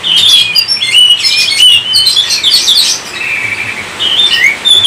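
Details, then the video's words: Oriental magpie-robin with a rich run of whistles and chirps, then a steadier sustained whistled note, and finally a few bright rising notes. "Kacer COVID-20 mampu sebarkan virus gacor kacer Anda"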